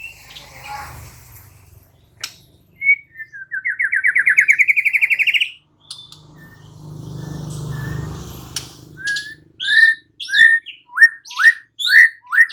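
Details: White-rumped shama, called murai batu, singing in gacor style: a rapid pulsed trill sweeping upward, a pause with low rumbling background, then a series of sharp, rising whistled notes repeated roughly twice a second.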